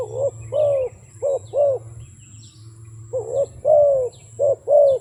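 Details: Two bursts of cooing from a wild dove, each made of paired notes, a brief coo then a fuller drawn-out one, separated by a quiet gap with a steady low background hum.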